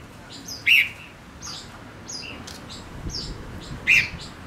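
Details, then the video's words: Decoy male Gouldian finch singing to attract wild birds: a few loud chirps stand out among softer high squeaks and thin whistles, spaced irregularly. "Chim ngũ sắc mồi hót cực hay kích bổi nhanh nổi | chim ngũ sắc hót | ngũ sắc trống"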